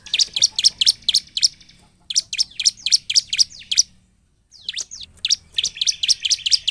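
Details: Energetic bar-winged prinia song played to stir lazy prinias into singing: three runs of loud, piercing chirps repeated rapidly, divided by short silences, with a couple of sliding notes before the last burst.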